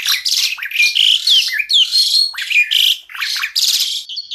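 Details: Black-collared starling in full-variation 'tembakan' masteran song: screechy, rasping phrases broken by short bright whistles, delivered almost without a break.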